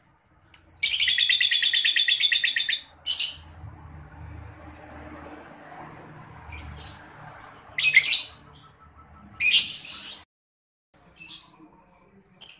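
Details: Young lovebird calling as a lure to draw answers from lovebirds: a long, rapid, buzzing chatter lasting about two seconds, then scattered shrill squawks and short bursts over a soft low background.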